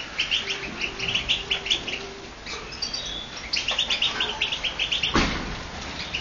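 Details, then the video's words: European goldfinch pair at their first meeting, recorded by phone on 5 October 2012. Bright, tinkling chirp runs come in two fast bursts separated by a pause, then a sharp knock and steady background hiss. "καρδερινες 2012 φιλακια Goldfinch 2012 kiss"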